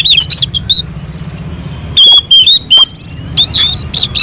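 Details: Orange-headed thrush song recorded on a mountain slope to provoke other birds into singing: short, bright whistled and trilled phrases, some buzzy, delivered in quick bursts over a low hum.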